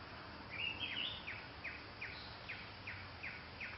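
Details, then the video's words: A Crimson-winged Woodpecker (Picus puniceus) gives a brief warbled opening, then a series of short, high, down-slurred notes about every half second, over steady background hiss. "Woodpecker, Crimson-winged"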